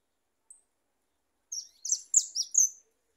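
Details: Goldfinch song: after a single thin high note and a pause, a quick run of five tinkling, jangling, twittered phrases, very high-pitched, against a silent background.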